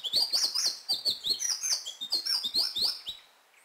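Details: Hummingbird in Colombia giving a rapid series of thin, very high-pitched squeaky chips, each a sharp descending flick, about four per second, fading out at the end; quiet background.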